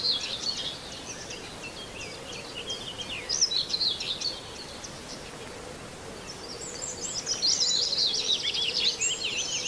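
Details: Near Wells-next-the-Sea, a common whitethroat gives brief, chattering, scratchy song bursts at the start and middle, then a longer dense warble toward the end, against constant background hiss.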